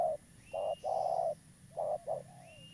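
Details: Spotted dove of a local strain, a vigorous caller kept as a trapping lure, giving soft mellow coos: a short note, a long sustained coo, then a quick double note, with a faint rising whistle in the background.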